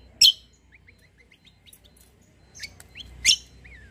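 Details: White-eye in 'kombo' song style, a vigorous 'fighter' bird suited for tutoring other songbirds: loud sharp chirps at start and end, with a soft series of thin rising whistled notes and a downslurred whistle between them.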